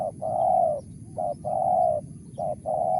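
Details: Spotted dove, wild, tekukur voice of the mersik style, giving repeated two-part coos: a brief clipped note then a drawn-out even hoot, about three pairs in quick succession, with a low rumble beneath.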